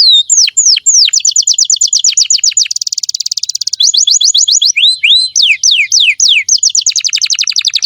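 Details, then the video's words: Lively female canary song: rapid series of falling whistled notes, a dense high buzzy trill, then rising slurs and looping swoops, fast and continuous throughout. "Burung kenari super gacor meskipun betina"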